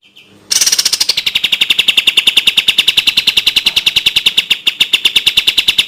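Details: Sooty-headed bulbul (kapas tembak) in a tutor recording for training caged songbirds: after a brief quiet start, a rapid machine-gun run of sharp, high clipped notes, about four per second, held at an even pitch throughout.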